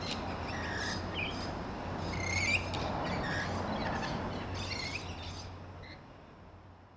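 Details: Back-garden rainbow lorikeets feeding on grevillea, making repeated harsh screeches and short chirps, loudest midway and fading toward the end, with a low steady hum beneath.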